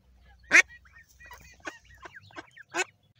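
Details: A wing-clipped purebred female mallard, mother of seven ducklings, gives two loud, harsh quacks about two seconds apart, with softer, shorter quacks and a man's voice between them.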